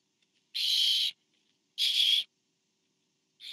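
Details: During a food delivery to an owlet at a barn owl nest camera, two strong rasping hisses about half a second long sound a second apart, and a third begins at the very end.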